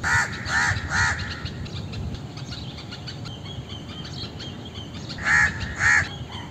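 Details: An Indian crow calls three quick hoarse caws in a row, falls silent for several seconds with faint ambient noise, then gives two more harsh caws.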